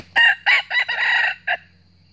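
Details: Wild northern red junglefowl cock drawn to a trap by a decoy, crowing a fierce challenge: a short, clipped, loud crow of four or five harsh, buzzy syllables with a final separate note. The background is otherwise quiet.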